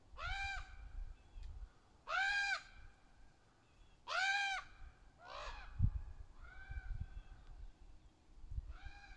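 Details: Juvenile and adult ravens, extremely vocal, calling to each other in the trees: loud harsh caws roughly every two seconds, some drawn out, others shorter and fainter, over low rumbling noise.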